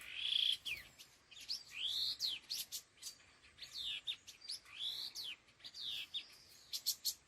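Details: Laughingthrush, locally khứu lùn, in a đôi hung gọi đằng calling sequence: a run of short rising and falling slurred whistles, a loud opening note, then steady repeated phrases with crisp chips.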